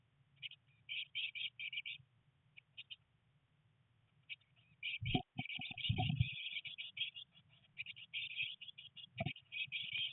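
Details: Nest-box blue tit chicks, three of them on day 19 with heavy rain and first attempts at flying, chirp in quick high trills that grow denser after a quiet stretch, broken by loud bumping and scuffling in the middle.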